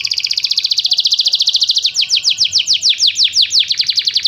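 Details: Canary singing loudly: a rapid, even trill of high notes for nearly two seconds, then a run of sweeping downslurred whistles repeated about four times a second, rolling and continuous.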